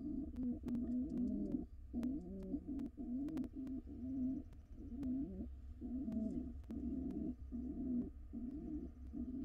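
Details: Courting wild pigeons in a nest box, pair together: low throaty cooing phrases in bursts of about a second or more, separated by short pauses, with scattered clicks and taps.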